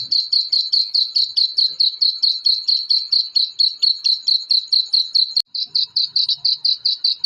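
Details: Rapid, regular high-pitched peeps from black francolin chicks, roughly two and a half per second, with a brief break near the end before the series resumes; used as a sound to stir up adult birds.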